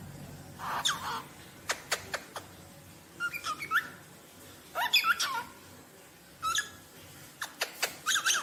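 Rosellas give bursts of bright, chattering whistles with sharp clicks between them, in phrases about every one to two seconds.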